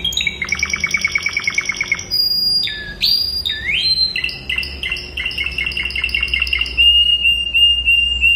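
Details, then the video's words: Classic song of a Spanish Timbrado canary, used for teaching young birds to sing: fast trills of repeated notes, then sliding whistled notes, then a long rapid rattle settling into a steady high tone. "CANTO CLÁSSICO de TIMBRADO ESPANHOL para ENCARTE de FILHOTES"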